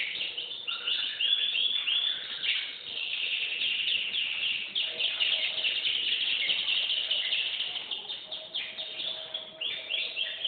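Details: Domestic canary in sustained song: rapid rolling trills and chattering runs of notes that change pace several times, with no pause.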